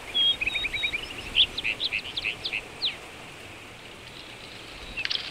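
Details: A rufous-tailed rock thrush in Shahdag National Park, Azerbaijan, sings a clear whistled note then a quick run of fluty, slurred warbles lasting about three seconds, with faint background hiss.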